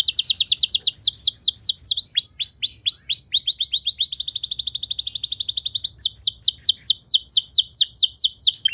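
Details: Canary song played to train other canaries to sing: fast trills of rising and falling notes high in pitch, shifting between tours, with a rapid even trill in the middle and slower swooping notes at the end.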